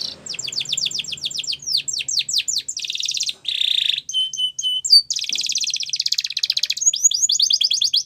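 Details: Spanish Timbrado canary singing a training song for young canaries, mixing rapid chirping trills, a low buzzy rattle, metallic clinking notes and a long fast trill of high chirps.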